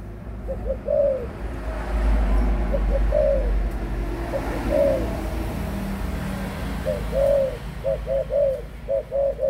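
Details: Adult spotted dove cooing: mid-pitched phrases of short lead-in notes and a longer slurred coo, repeated about five times over ten seconds, with a steady low traffic rumble behind.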